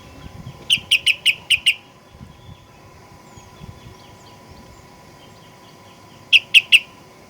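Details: Sooty-headed bulbul lure recording meant to provoke aggressive singing: a quick string of six clear chirps, a long gap, then a further three, against faint background noise.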